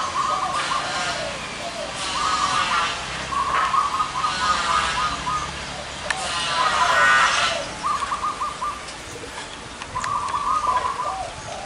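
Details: Several zebra doves with large and small voices, gathered at one spot, give rapid, rolling cooing phrases in short bursts, answering one another, over a hiss of background noise and murmured voices.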